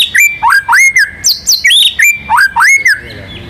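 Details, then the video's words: Singing white-rumped shama, a national contest winner, delivers a looping song: loud whistles sweeping up and then holding, alternating with higher squeaky notes, repeated in quick phrases with barely a pause. "MURAI BATU GACOR MANCING BURUNG LAIN BUNYI‼️ MATERI ISIAN NGEROL NEMBAK IRAMA LAGU LENGKAP ISTIMEWA"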